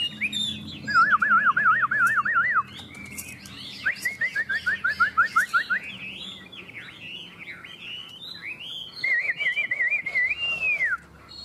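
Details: Two Chinese hwamei competing in song: rapid trilled, wavering whistles in repeated phrases, interspersed with higher chirps and a final long wavering whistle ending in a downslur.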